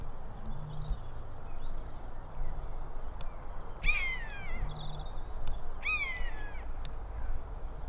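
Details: Common buzzards in the sky over Brackagh Moss at Easter, recorded on a Panasonic X920: two loud, drawn-out, downward-sliding mewing cries about two seconds apart, set over steady low rumble with faint high chirps behind.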